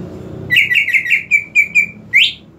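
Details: Greater green leafbird lure song to prompt a silent bird: a quick chattering series of eight short, level whistled notes, ending with one longer, sharply rising whistle.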